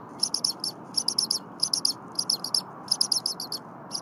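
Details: Bald eagle chick, well fed by its father within the hour, still chirping loudly in the Berry College nest at 8 AM on 23 January 2022. Piercing high chirps tumble out in fast groups of three or four, almost without pause.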